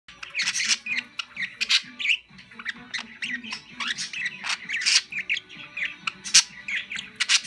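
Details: Pet budgerigar (parakeet) chirping happily while hopping side to side, keeping up a fast, chattering warble of scratchy clicks, squeaks and short whistles in quick, uneven bursts.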